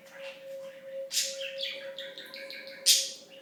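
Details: Talking pet budgie, lived 2007 to 2016, chattering in a quick string of stepped, buzzy syllables between two loud sharp squeaks, with a steady low hum in the room.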